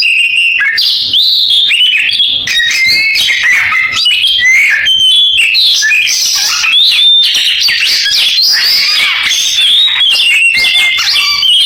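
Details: Oriental magpie-robin in canary-imitating song: a long, continuous, busy outpouring of chirps, rattling trills and sharp whistles, with no breaks.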